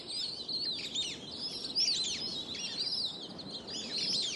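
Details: A flock of Plumed Whistling Ducks, Australia, gives loud, shrill, high, overlapping whistles rising and falling in a continuous chatter with no steady rhythm.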